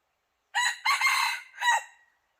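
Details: Decoy red junglefowl used to lure wild junglefowl that will not come into the trap, crowing once: a hoarse three-part crow with a short first note, a long strained middle and a falling final note, against silence.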